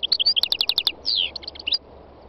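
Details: A 3-year-old wild North African European goldfinch sings on a spring day in Tunisia's north-west mountains: a fast, tinkling run of high twittering notes and buzzy trills under two seconds; other wild birds sang nearby.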